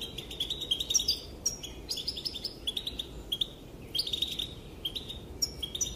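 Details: Female European goldfinch whose calls are said to make males dance, giving rapid clusters of thin, sharp, tinkling chirps and short trills in quick bursts, with little else heard behind them.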